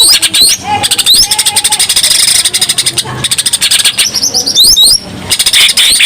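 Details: Greater green leafbird in lively, full song, used to lure other birds: rapid buzzy chattering trills repeated densely, with rising whistled sweeps and brief lower whistled notes mixed in.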